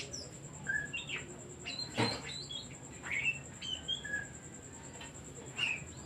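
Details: Oriental magpie-robin singing as a lure to provoke other birds: scattered short whistles and upslurred notes separated by pauses, one sharp click near the middle, and a steady high-pitched hum in the background.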